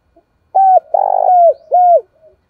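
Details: Spotted dove cooing as a lure to draw in wild doves: three clear, low, hooting notes, the middle one longer and slightly rough, with a short soft note before and after, in a quiet setting.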